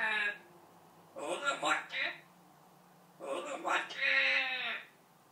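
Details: Parrot with about 80 learned words speaking indoors: several bursts of harmonic, speech-like phrases separated by pauses, with a low hum underneath.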